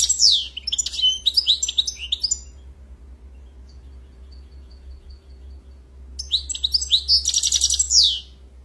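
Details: Two bursts of European goldfinch song, each a quick run of high sweeping chirps and tinkling twitters, separated by several seconds of near silence and a faint low hum.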